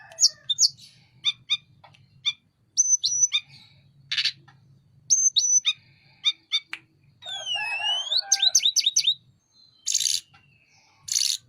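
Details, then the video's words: A Sunda robin sings vigorously with wings open. Varied phrases mix clipped high notes, whistled slurs and rasping bursts, with a rapid rising-and-falling flourish near the middle and pauses between sections. "Burung Tledekan gunung gacor buka sayap"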